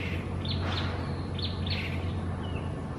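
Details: A pair of wild lesser whistling ducks at Gardens by the Bay, Singapore, where they are uncommon breeding residents, give short, high whistled notes in quick pairs, spaced irregularly, above a steady low rumble.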